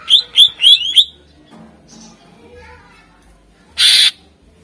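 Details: Greater green leafbird song used to lure contest birds: four quick loud rising whistled notes in the first second, then faint chatter and a short harsh burst near the end.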